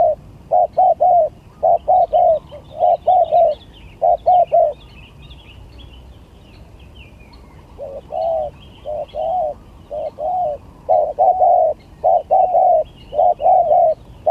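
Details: Contest singing of spotted doves, gagap tindan against klantan: rapid runs of short hollow coos grouped in twos and threes, a pause of a few seconds, then another steady series, with scattered high twittering of other birds.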